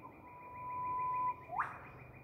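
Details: Eastern whipbird from Queensland, Australia, giving a long, steady, pure whistle that ends in an abrupt, rising whip-crack note. The background is quiet with low hiss.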